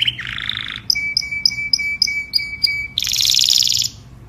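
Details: Canary singing to call the flock: a low buzzy trill, then a run of about seven sharp repeated whistled notes over a thin steady tone, ending in a dense, loud, rapid trill.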